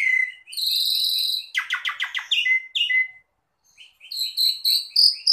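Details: Asian pied starling delivering rich song for cage-bird training: an opening whistle, a long buzzy note, a fast rattle of clicking notes, clear whistles, then a pause before a rising run of chirps.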